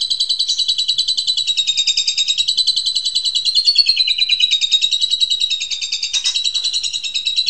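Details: Asian pied starling in dense 'super ngentrok' song, played as therapy to startle household magpie robins: an unbroken, rapid, buzzy chattering trill of about three notes a second, held at high pitch for over seven seconds with little change.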